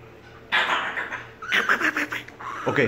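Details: An African grey parrot responding to a call answers with harsh, raspy bursts in three quick bouts, with a few short whistled notes mixed in.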